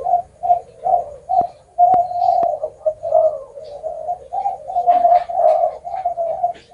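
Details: Repeated short low coos from a spotted dove, building into a longer, fuller cooing phrase, with occasional clicks and faint high chirps.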